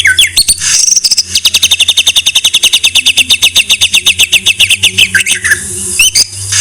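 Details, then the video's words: White-rumped shama master recording: a few quick slurred whistles, then a long even series of sharp repeated notes about seven per second, ending in upward-swept whistles; faint low hum beneath. "Masteran MURAI BATU No.1"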